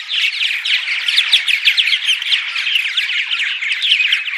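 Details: Morning chorus of purple martins used to attract the birds: thick layers of rapid chirps, warbling gurgles and squawky notes with slightly louder bursts, a constant colony chatter throughout.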